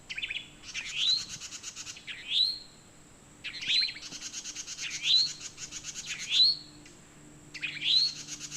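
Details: A towhee repeats its rising, upslurred mating call about six times, once every second or so, while another bird fills the gaps with long dry buzzy trills.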